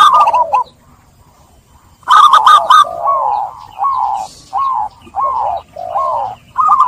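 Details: Zebra dove cooing meant to coax trap-stressed doves back into song; a short phrase, nearly two seconds of quiet, then a loud staccato burst followed by evenly spaced warbling coos.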